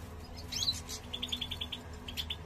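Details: Male European goldfinch prompting the female to build a nest; a short twittering phrase then a fast series of even, clipped high notes, faint hum behind.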